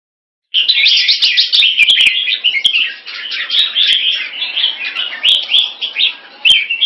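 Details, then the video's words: Captive red-whiskered bulbul kept in Singapore during rotational sparring with a fast wing display; after a brief silence, a dense, continuous run of bright, chattering warbled phrases starts, punctuated by sharp clicks. "Jambul -สิงคโปร์เลี้ยง นกหัวจุก Dragon3 (Keke Machine Fast Beewing Display) Rotational Sparring"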